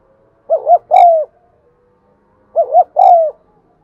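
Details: Spotted dove cooing, recorded to prompt caged birds to coo: two phrases, each a quick double coo followed by a longer, falling coo, spaced about two seconds apart in otherwise quiet surroundings.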